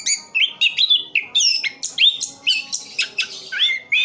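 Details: Orange-headed thrush kept in Sidoarjo, East Java, singing in full roll style: rapid run of short rising and falling whistled notes, about two per second, mixing clear slurs with higher sharp chirps.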